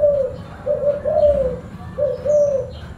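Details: Spotted dove (tekukur) cooing in a deep, full-bass voice. It gives soft, low, hollow coos, first a three-note phrase and then a two-note phrase about a second later, over a steady background hum.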